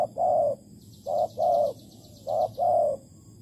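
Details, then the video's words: Spotted dove at a bird trap with bare bait in Malaysia, 11 August 2020: three pairs of low, hollow coos, each a short note followed by a longer one, repeated roughly every second with steady background hiss. "Bẫy cu gáy bằng mồi trần Malaysia/ Tekukur Malaysia"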